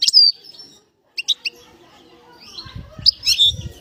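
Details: Bird whistling; an opening high slurred whistle, a few short sharp chirps, then squeaky whistled notes over low thumping noise.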